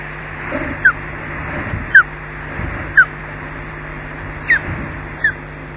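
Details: Osprey at its nest at Loch Garten on 4 May 2012 at 17:27, returning to push its mate off the eggs: short, sharp, downward-slurred whistles, about one a second, five in all, over a faint steady hum.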